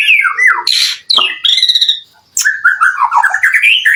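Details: Constantly singing white-rumped shama, used as a lure to provoke other shamas into answering. Loud, varied song mixing falling whistled slurs, harsh squawking bursts and a rapid string of warbled notes, with a brief pause midway.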